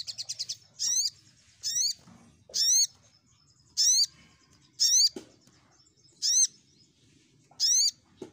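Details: Lure recording of a crimson sunbird (sogok ontong) meant to draw rival birds: a quick stutter of chips, then bright downward-sweeping ringing notes repeated roughly every 0.8 seconds, with occasional soft knocks.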